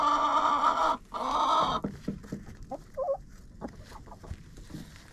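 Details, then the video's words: Chickens in a coop, captured by a GoPro placed inside: two loud harsh drawn-out squawks in the first two seconds, followed by quieter scattered clucks and short chirps over scratching sounds. "Hanging out with Chickens in a Coop"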